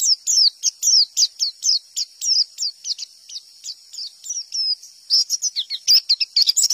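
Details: Wild white-eye pouring out high, slurred chips in the 'tembakan' style that gets other white-eyes answering: a regular run of descending notes, then a quicker, more varied twittering flurry toward the end.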